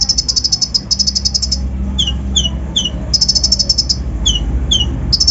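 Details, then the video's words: Lure song of an untrained kolibri ninja, known in English as brown-throated sunbird, full of rough fill-in: a long rapid buzzy trill, a series of sharp descending whistles, then another trill, low hum underneath. "PANCINGAN KONIN BAHAN FULL ISIAN KASAR COCOK UNTUK MENAIKAN EMOSI BURUNG BAHAN"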